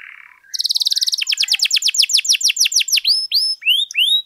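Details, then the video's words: Canary singing hard in a recording meant to set off other canaries: a soft murmur, a fast high trill, a steady run of downward sweeps, then slower rising whistles. "PANCINGAN KENARI GACOR DOR, PUTAR SEBENTAR AMPUH NAIKKAN EMOSI KENARI LANGSUNG GACOR"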